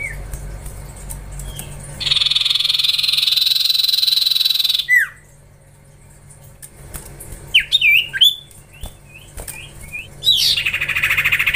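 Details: Young common iora in training: a faint whistle, then a long, steady buzzing trill of almost three seconds, a quiet gap, a burst of quick, wavering whistled notes, and a final buzzy rattle.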